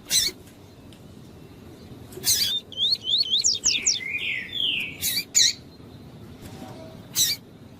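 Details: Double-collared seedeater, with a female calling to stimulate a male for singing tournaments: sharp isolated chips, then a fast run of zigzag whistles leading into long descending slurred notes, more chips after.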